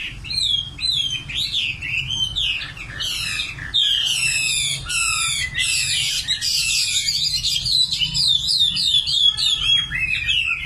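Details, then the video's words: {'caption': 'Common nightingale delivering a long, varied song: whistled phrases, rapid high trills and dense rattling bursts following one another with brief pauses.'} "Singing nightingale. amazing bird song"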